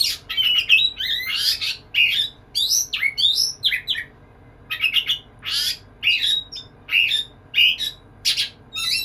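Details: White-rumped shama, a kacer, singing energetically to court a female: varied whistled and harsh phrases in bursts, rising and falling sweeps, with short pauses between bursts.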